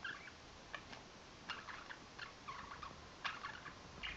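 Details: Pet budgerigars, filmed while nuzzling each other, talking in quick, scratchy bursts of warbling and mimicked speech; a ringing phone later startles them.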